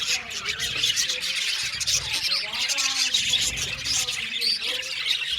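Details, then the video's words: Budgerigars in an aviary colony producing constant high warbling and chirping from many birds, with faint lower tonal sounds beneath the chatter. "Budgies parakeets chirping sound | Cute Budgies birds singing sound"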